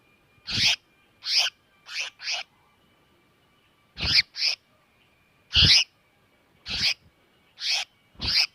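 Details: Distress cries of a bird used to lure others into traps: loud grating squawks, often in pairs, with gaps of up to a second and a half between groups, against a quiet background.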